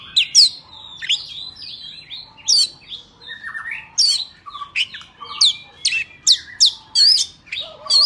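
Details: Oriental magpie-robin in forest-style song, intended for training young birds and trapping. Piercing high upslurred whistles are spaced among softer warbled and buzzy notes at varied pitches.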